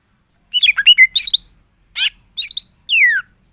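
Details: Greater green leafbird (cucak ijo) in full song, billed as full isian and able to trigger other cucak ijo. A rapid jumble of warbled notes, a harsh burst, a short twittering phrase and a long descending whistle.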